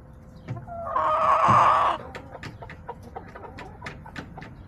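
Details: Backyard rooster crowing in October, a loud drawn-out crow of about one second with a rising start, followed by scattered soft clucks and short scratchy noises from hens.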